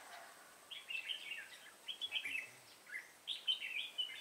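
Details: Red-whiskered bulbul, an old wild-caught bird kept for fighting-song contests, singing in three bright, warbled bursts of quick whistled notes with short gaps between them. Faint background noise is also audible.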